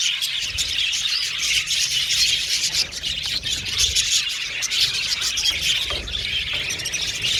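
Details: Many budgerigars in an aviary colony chatter at once, producing a constant high-pitched twittering texture with scattered sharper chirps and a faint low hum beneath.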